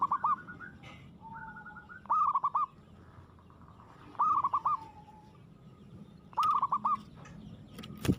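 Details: Zebra dove (perkutut), local bird, singing aggressively: short bursts of rapid, rippling cooing notes around one pitch, given about every two seconds, with fainter answering phrases and a low background hum.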